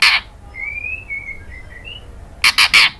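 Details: White-rumped shama female calling to a male. One harsh burst opens, then soft whistled notes slide up and down in a quiet string, ending in three rapid rasping chacks.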